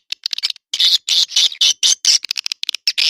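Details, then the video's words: Swiftlet-house lure call of the edible-nest swiftlet, Naga Emas type: a few quick ticks, then harsh buzzy squawk-like bursts about a third of a second long, repeated several times. "SUARA PANGGIL NAGA EMAS"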